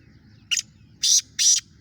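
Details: Young black francolin, seven months old and starting to call, gives a brief note followed by two longer rasping high bursts spaced about a third of a second apart, against a soft low rumble.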